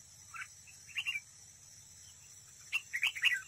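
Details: Decoy red-whiskered bulbul in competitive song at a trap: two bursts of quick warbled notes separated by a pause, over a steady low background hum.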